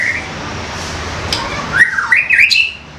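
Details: Young white-rumped shama, a forest-caught juvenile used as a training tutor, giving a few whistled notes that slide upward around 2 seconds into a fluttering, warbled phrase, over a steady low hum.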